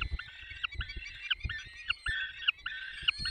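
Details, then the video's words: Peregrine falcon during a feeding at 10:22 on 20 May 2021 in the Barycz Valley: a run of harsh, nasal, drawn-out wailing calls about every half second, over dull low knocks and thumps. "Karmienie 10:22 Dolina Baryczy 20 05 2021 sokół wędrowny"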